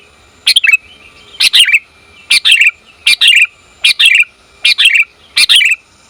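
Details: Female sooty-headed bulbul calling the male, a recording used for training and luring bulbuls: six bright, chirpy two-part bursts, each ending in a dropping tail, repeated roughly every second over a quiet background.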